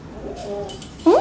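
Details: Pet male African grey parrot gives a single loud, rising whistle that sweeps upward at the end, one of its many sound effects, after faint murmuring and soft background voices.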